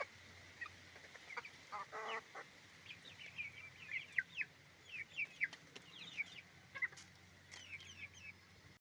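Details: Roosters and hens on a chicken farm calling together: many short, downslurred chirping notes repeated irregularly, a brief burst of harsher clucking near the start, over a low steady hum.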